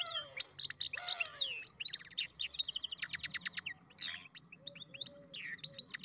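A goldfinch-canary mule sings a fast, bright medley of tinkling twitters, rapid buzzy trills and clear whistled slurs, all high-pitched and continuous.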